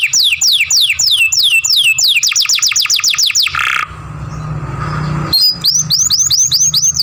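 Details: Young canary in masteran song, long grumbling sounds: a rolling series of rapid descending whistled slurs, a short rushing noisy gap, then evenly spaced rising upslurred notes.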